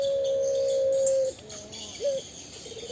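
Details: Puter pelung dove giving one long, steady, level low coo held for over a second, then a faint softer note and a short clipped note, with quiet background.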